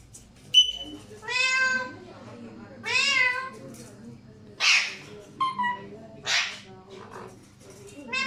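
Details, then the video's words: Alexandrine parakeets calling repeatedly, roughly every second or two: drawn-out arching harmonic cries, harsh rasps and a sharp whistled note, over a low hum. "Alexander parrots making beautiful sounds."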